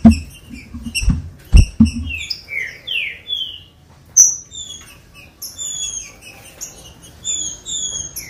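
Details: Green-winged saltator song played to get captive birds singing: loud knocks and quick high chirps, then descending slurred whistles, followed by long runs of thin, high whistled notes.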